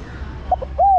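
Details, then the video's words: Female spotted dove calling the male. A quick soft note gives way to one smooth, slightly arched coo held for about a quarter second. "Cu gáy mái thúc trống + gọi trống cực nhay. chim cu gái mái kích bổi gáy cả ngày"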